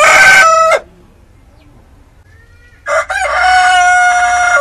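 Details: Rooster crowing, from two roosters, one red and one speckled: the loud tail of one crow ends abruptly, quiet follows for about two seconds, then another crow starts with a stutter and is held loud and level.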